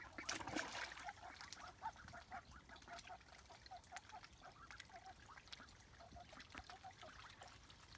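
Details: Three eight-week-old Swedish Yellow ducks, one male and two females, newly moved to a new home and discovering a deep pond outside their enclosure, give soft, rapid quacking notes repeated several times a second amid splashing water and background noise.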